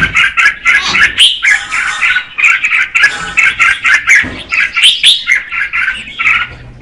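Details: Singing female red-whiskered bulbul, meant to excite the male: rhythmic series of short warbled phrases repeated about every half second, bright and slightly harsh, with faint low rumbling underneath.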